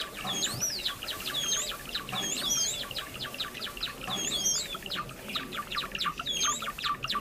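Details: Lure for catching Java sparrows: a lively group chatter of short chips, punctuated about once a second by sharp, looping whistled notes that dip and rise.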